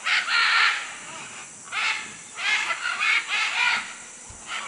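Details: Macaws in Manu, Peru, giving grating, drawn-out squawks, first a long one then a cluster of shorter rough calls, against continuous high insect noise.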